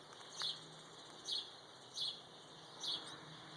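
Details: A bird at dawn, around 5:15am, beside tall geraniums gives short, high chirps about every second, five in under four seconds, over a soft steady background hiss.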